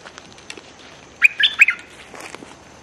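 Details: Bulbul kept as a decoy to lure wild birds, threatening without pause, 24/06/2023: one short, scratchy chattering phrase of about three clipped notes, with faint ticking sounds around it.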